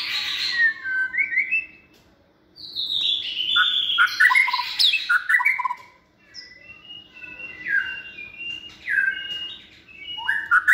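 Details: White-rumped shama in a cage, second season, hand-raised and described as bold and multi-voiced. Rich whistled phrases come in two long bursts separated by a silent pause, followed by softer, scattered notes and a faint steady hum.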